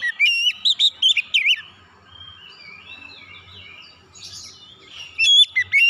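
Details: Oriental magpie-robin song for training untrained kacer to sing powerfully: a fast string of loud, wavering whistles, then soft warbled twittering, and a fresh burst of sharp whistles at the end.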